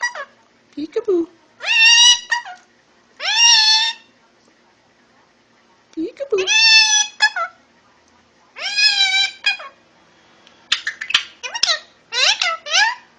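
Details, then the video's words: Indian ringneck parakeet under a year old, in its first days of talking, repeats long harmonic squawking phrases with a nasal, speech-like quality in bursts every few seconds, ending in rapid chattering notes; low hum in the background. "Indian Ringneck Parrot talking!"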